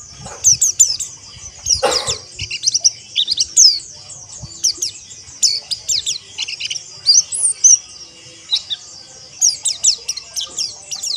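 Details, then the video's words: Caged pleci, the white-eye, chattering continuously with fast high chirps and descending twitters in repeated bursts, one broad harsh rasp near the start. "Terapi Pleci Ombyokan Agar Ngeriwik Kasar Dan Ngalas"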